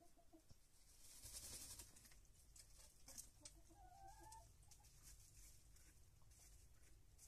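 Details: Chickens feeding at dawn in a henhouse, pecking at grain; soft low clucks with a brief pair of rising tonal notes near the middle, over steady low rumble and scattered pecking taps.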